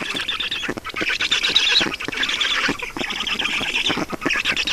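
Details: Estonian Black stork nest, feeding on the afternoon of 5 June 2019; grating, rapidly pulsed begging calls in several surging bursts with short dips between them.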